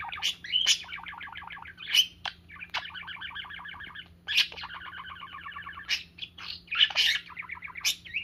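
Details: Parakeet at play with a person's fingers, behaviour said to show love and trust, keeps up a steady warbling chatter of rapid chirps and buzzy trills, broken by sharp high squeaks every second or two.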